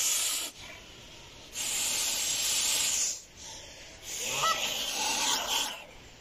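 A goose hisses in three long, harsh, breathy bursts, each lasting one to two seconds, with a brief squeaky note near the end.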